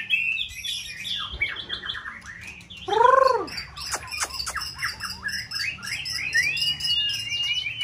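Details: White-rumped shama in a multi-rival singing test gives a dense song: scratchy chatter, a loud low arched note repeated in a short run, then fast twittering and high thin whistles. A low hum sits behind.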